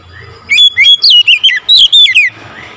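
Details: An Oriental magpie-robin calling loudly, giving a rapid series of about nine bright, piercing whistled notes, each bending and slurring downward, over nearly two seconds.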